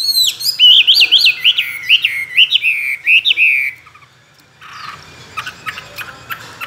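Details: Caged, tame Chinese hwamei, praised as a good fighting singer with many forest voices: a series of loud rising-and-falling whistled notes repeated about twice a second, then a quiet stretch with soft chatter.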